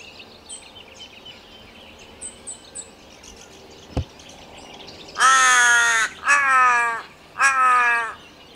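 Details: A Torresian crow at Archerfield Wetlands gives three loud, nasal, slightly wavering caws about a second each, after faint high chirps from small birds and a single sharp knock.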